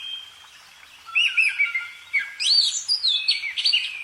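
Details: Singing bird starting quietly, then breaking into bright looping whistles and swooping notes that climb and drop in quick succession.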